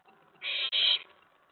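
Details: Nest-box owlet at night, 19 May 2017, excited when an owl arrives on the tray after a mouse delivery. It gives a loud, harsh hiss-screech lasting about half a second, briefly broken in the middle.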